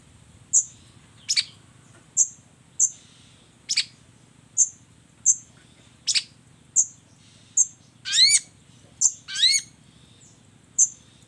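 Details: Long-tailed shrike combination song of thin, high ticks repeated about every second, broken by two quick rising and falling whistled slurs.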